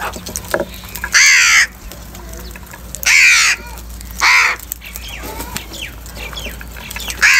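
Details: A crow feeding and fighting for food in the morning gives harsh, raspy caws, four loud bursts about a second apart, with fainter calls of other birds in between.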